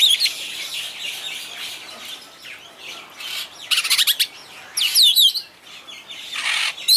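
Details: : Superb starling (Spreo superbus) singing at a bird park in Walsrode, Germany: high, thin chattering and squeaky whistled notes, with quick bursts of rapid buzzy trills and sliding whistles.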